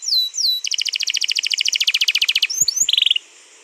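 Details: Canary in long rolling song used to draw out a canary's singing, 21 April 2022: two sweeping whistles, then a fast regular trill of repeated notes, a couple of soft knocks, and a brief buzzy burst.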